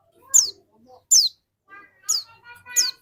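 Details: Singing dakun white-eye, a lure bird for other white-eyes: four high, piercing downslurred whistles, with softer lower harmonic warbles between them.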